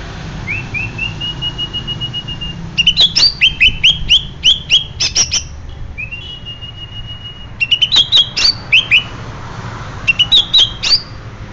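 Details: Greater green leafbird of Banyuwangi origin singing: a long, thin whistled note gently rising, then rapid bursts of sharp, high chirps and twittering slurs, repeated in three busy phrases over steady low background hum.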